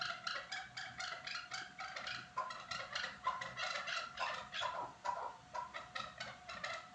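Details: At Norak, chukar partridges give rhythmic bursts of grating chuck notes that rise and fall in loudness in pulses, with several birds calling at once.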